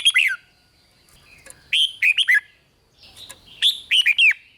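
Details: Red-whiskered bulbul performing 'rik' style song meant to excite other bulbuls: repeated phrases of three or four loud, quick whistled notes dropping in pitch, with soft clicks between phrases.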